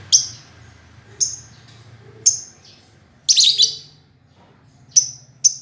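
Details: Lovebird calling, sharp high chirps repeated about once a second with a short buzzy chattering burst in the middle, over a low steady hum.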